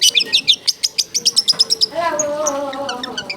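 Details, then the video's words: Long-tailed shrike song used as a training recording: a rapid run of sharp, high chirping notes repeated several times per second, then lower, drawn-out whistled tones layered beneath scattered high chips. "MASTERAN BURUNG CENDET"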